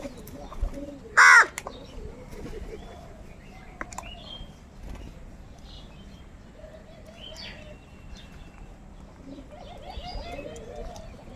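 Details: Hungry crows in a crowd, fighting over food while they eat: one loud, harsh caw bursts out early, followed by fainter drawn-out calls and scattered clicks over a steady background hiss.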